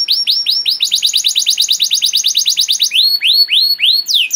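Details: Canary song used as a master recording to train young canaries: fast repeated whistled notes, a slower trill of downward-sweeping syllables, then a rapid run of about twenty short high notes, followed by arching rising-falling whistles and a high descending sweep.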